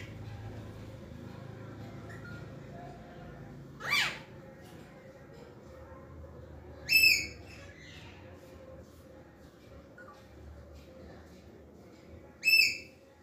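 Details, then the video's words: Green parakeets heard as three short, sharp, high-pitched squawks with bright overtones, spaced widely at about four, seven and twelve and a half seconds, over a steady low background hum with quiet gaps between. "Green parakeets are in Speaking 🔊 Mood"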